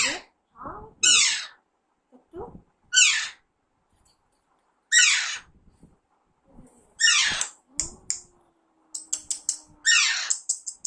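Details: Young pet Alexandrine parakeet gives a run of loud, harsh descending screeches interspersed with shorter squawks, softer chatter and a burst of rapid clicking notes near the end.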